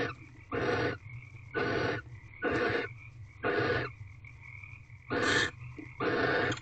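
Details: Barn owls mating in an owl box before dawn, 5:19 am on 9 March 2023, the twentieth night: harsh broadband hissing screeches of about half a second, repeated roughly once a second, over a steady low hum.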